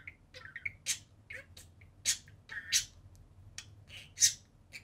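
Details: Indoor budgerigars playing on their cage give scattered harsh squawks and short scratchy chirps with quiet gaps between.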